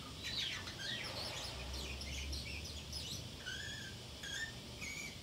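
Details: Pacific parrotlet alone at home, babbling to itself: busy high chirps early on, then a few short clear whistled notes near the end, with a low steady hum in the background.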